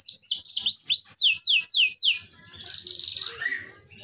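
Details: A canary in full song gives a series of loud, downward-sweeping whistled notes, about four each second. These break into a softer buzzy warble and scattered chirps.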